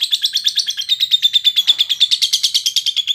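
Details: Timi lovebird singing for a fighter-class training recording: a continuous, rapid, high-pitched chatter of evenly spaced notes, about three per second-fraction, sustained throughout without pause.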